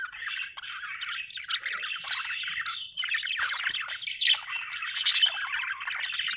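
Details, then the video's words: Happy budgerigar chirping: a continuous busy warble of chattering, squeaky and scratchy notes with quick squawks, running without pause throughout, possibly more than one bird. "happy budgie chirping sound"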